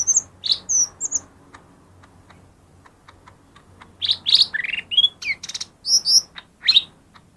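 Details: Lesser green leafbird song meant to stir silent birds: high whistled notes and chirps at the start, a pause of faint ticks, then a dense run of varied slurred and buzzy phrases.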